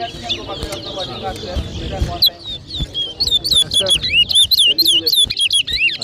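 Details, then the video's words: Towa towa finch at a 2023 whistling competition in New Amsterdam, Berbice, Guyana; after a noisy crowd start, a burst of crisp rising and falling whistles repeated rapidly, several per second, over people talking. "TOWA TOWA BIRD WHISTLING COMPETITION"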